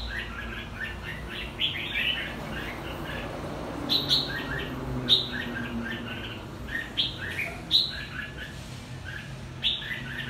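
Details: Two-season red-whiskered bulbul from Quảng Nam, Vietnam, delivers short warbling whistled phrases repeated every second or so, each ending in a sharp high accent, over steady low rumbling background noise.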